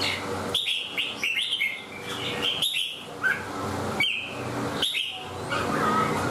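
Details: A red-whiskered bulbul sings with tail spread and feet gripping its perch: clear, lively whistled phrases in quick bursts, each falling or rising slightly, separated by brief gaps, with faint background hum.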